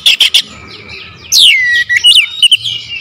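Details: Oriental magpie-robin singing as a lure: three sharp chips, then a long high whistle sweeping steeply downward, followed by quick twittering notes and short whistles.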